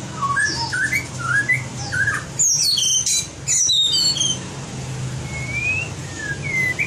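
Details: White-rumped shama trained to sing in contests: a series of quick rising whistled notes, a burst of harsh clicking chatter, then long smooth upslurred whistles, over a low indoor hum.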